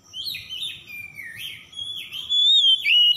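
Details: Oriental magpie-robin (kacer) singing, played as a lure to get a stressed bird that has stopped singing to sing again. Wavering, slurred whistles drift up and down, ending in a loud, bright, sustained whistle with a sharp downward twist.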